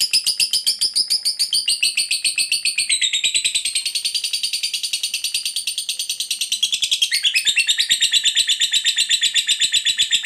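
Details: Lovebird giving a long ngekek chatter to draw replies from other lovebirds; an unbroken, rapid, rattling high trill lasting about ten seconds, dipping and then rising in pitch near the end.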